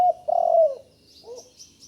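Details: A young spotted dove that has only recently learned to call ends a brief coo, then gives one long, rough, falling coo. A soft short note and faint high twittering from other birds follow.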